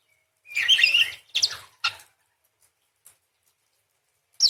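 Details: Parakeet in full song: a dense burst of squeaky, metallic twittering followed by two quick rasping chirps, a quiet spell with a faint click, then a fresh harsh note.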